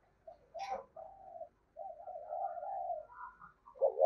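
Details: Spotted dove kept as a decoy, cooing in the 'thổ' voice style: a short throaty note, then drawn-out low wavering coos with brief pauses, in a quiet setting.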